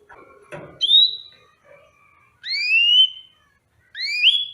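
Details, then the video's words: Yellow-fronted canary singing: three clear whistled phrases, each a bright upward slur with a fainter higher overtone, spaced about every one and a half seconds. Soft rustling and knocking noises come before the first phrase. "Tropical Bird Calls to Relax finch Serinus mozambicus"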